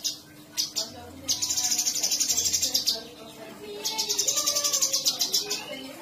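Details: Sooty-headed bulbul delivering two long, fast, buzzy rolling trills (ngerol) high in pitch after a few short notes, with lower chirps from other birds and a steady hum in the background.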